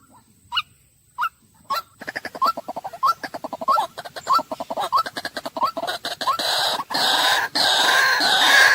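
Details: White-breasted waterhen calling: short, harsh, upward-inflected notes, a few spaced ones at first, then a fast, dense run of repeated croaking notes over a rising noisy background, ending in loud broadband rushing noise.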